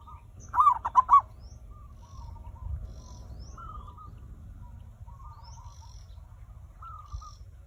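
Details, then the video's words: Zebra dove song, played as a lure to prompt other birds to start singing quickly: an early loud burst of rapid, rolling cooing notes, then softer, spaced coos over a steady low rumble. "perkutut raja pikat cocok untuk memancing burung cepat bunyi"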